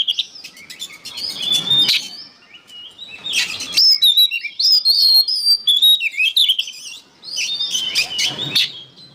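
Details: Oriental magpie-robin singing as songbird training material: three loud bursts of varied whistles, trills and scratchy chips, high and rapidly changing, separated by short quieter pauses with light background hiss.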